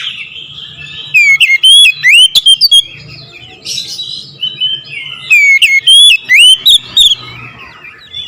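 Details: Kacer, the oriental magpie-robin, delivering "nembak ngerool" song in two loud bursts, each a rapid run of piercing, swooping whistles with sharp clicks, separated by a softer scratchy warble.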